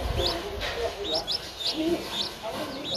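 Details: Nestling Streak-eared Bulbul, 11 days old, from Ubon Ratchathani, Thailand, recorded 13 April 2023. Short upslurred chirps sound roughly every half second, with a murmur of lower background sounds.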